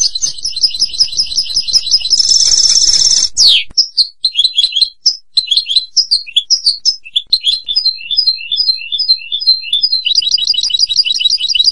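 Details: European goldfinch singing rapid repeated trills, a harsh buzzy burst, then scattered liquid twitters and slurred chirps, closing with another fast trill.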